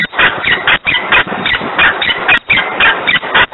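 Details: Peregrine falcon screaming loudly in Włocławek on 3 December 2020 at 10:36; harsh, rasping calls repeated rapidly in short bursts about four times a second, dense and overlapping, with brief gaps between runs.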